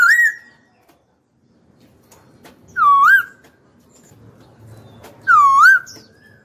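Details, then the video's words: Caged laughingthrush kept as a talkative songbird, giving three loud looping whistles, each dipping then rising, spaced about two and a half seconds apart with quiet gaps between. "Khướu mộc dở cực mau mỏ"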